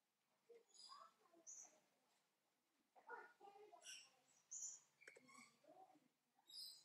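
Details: Captive Chestnut-backed Scimitar-Babbler at Weltvogelpark Walsrode giving a lively run of short chattering and squeaky notes, some mellow and low, others thin and high, in irregular bursts.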